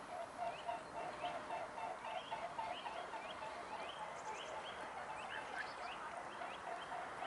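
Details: Mute swans flying around at Neuer Teich on the morning of 20 January 2017; a dense chorus of nasal, honking calls with short upward-sweeping notes, several per second, over a steady background hiss.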